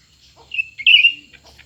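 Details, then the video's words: A cucak ranting in a contest between a new and an old bird gives one strong, slightly wavering whistled phrase with a brief lead-in note, over a quiet background. "pertarungan antara dua burung cucak ranting baru dan lama"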